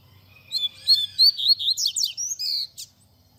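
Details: Tui tui zel zel style song of a double-collared seedeater, meant for tutoring young birds: high whistled notes rising into rapid zigzag trills and a final buzzy phrase, with clean quiet surroundings.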